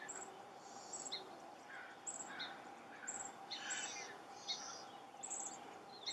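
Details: While a chestnut-backed chickadee excavates a potential nest hole, high thin call notes recur irregularly every second or so, alongside broader, rougher bursts of chipping and scratching.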